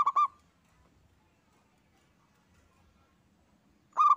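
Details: Local zebra dove in full song, two bright trilled phrases near one kilohertz, one at the start and one at the end, separated by nearly four seconds of quiet with faint low background hum.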